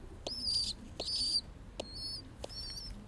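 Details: Young pigeon squeaking while being cuddled: four high, thin whistled notes, the first two longer and wavering, the last two short and level, each opening with a soft click, over quiet handling noise.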